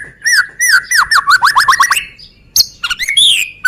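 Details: Lure song of a Medan White-rumped shama, meant to set other birds singing: a quick series of whistled notes dropping in pitch and accelerating, then a sharp high note and rising slurred whistles.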